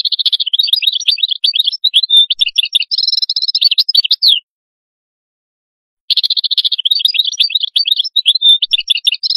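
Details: Atlantic canary singing: fast trilled phrases of repeated chirps near the upper mid range, broken by a buzzy rolling tour around three seconds, a pause of under two seconds, then rapid twittering trills resume to the end.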